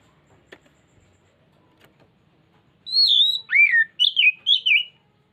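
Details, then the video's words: Oriental magpie-robin (kacer) in a lure recording meant to draw out its full repertoire: following near silence with faint clicks, a strong whistled phrase begins with a wavering high note, then a hooked falling note and several quick warbled whistles. "Pancingan Burung Kacer Bongkar isian"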